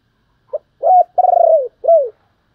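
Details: Decoy spotted dove calling to lure wild doves: a short soft note, then a mellow coo, a long pulsed coo that slides downward, and a final falling coo, with a clean, quiet background.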